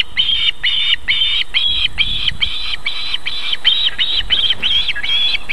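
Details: Female osprey at her nest in Võrumaa, South Estonia, near a river and fish farm, feeding chicks on the evening of 31 July 2021 at 19:51; steady series of short, high, slightly rising chirped whistles, about two per second, over low wind rumble.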